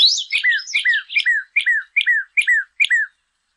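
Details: Northern cardinal song used for teaching captive birds to sing: a run of clear whistled notes, each a sharp downslur, repeated about twice a second, with brighter high overtones at the start of each note. No other sounds.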